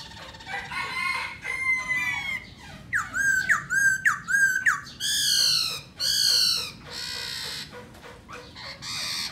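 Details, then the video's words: Black laughingthrush song, given while dancing. Harsh, buzzy notes lead into a run of sharply kinked whistles, then two long, loud rasping bursts and scattered scratchy phrases. "Khướu mun hót múa đỉnh"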